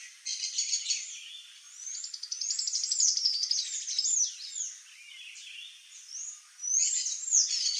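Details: Sayaca tanager song: sharp, thin squeaks and downslurred whistles run together into a hurried twittering phrase, pausing briefly near the end before a final burst of bright squeaky notes.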